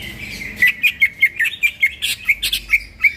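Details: Greater green leafbird singing loudly at midnight, recorded as a training song. Brisk, punchy notes repeat about every quarter second, each crisp and whistled, over a thin continuous tone.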